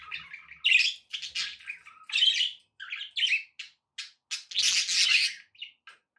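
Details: Pet budgerigars chattering, recorded with background noise for relaxation: a steady run of bright, scratchy warbles and short squawky chirps, bursts every half second or so, with brief pauses between phrases.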